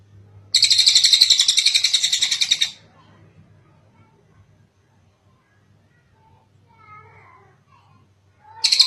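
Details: Kingfisher (tengek cililin) in a tutor recording for training birds: one loud, harsh chattering burst of rapid notes lasting about two seconds, then a long quiet stretch with faint background sounds before a new burst begins.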